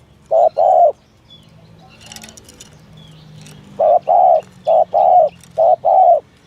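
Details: Spotted dove, 'thổ thúc gù' coo meant for luring doves. One low double coo, then a quiet stretch with a faint rustle, then three more paired hollow coos in a steady, even rhythm.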